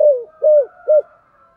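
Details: Spotted dove in the 'giọng thổ sấm' voice, 'thúc gù' cooing: three low hollow notes, the first sliding downward, the last two short and rounded.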